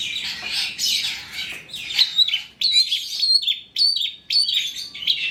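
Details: Trotol long-tailed shrike song meant to make other shrikes sing: a rough chattering start, then a series of short bright whistled phrases, each with a pure upslurred note, repeated roughly every half second.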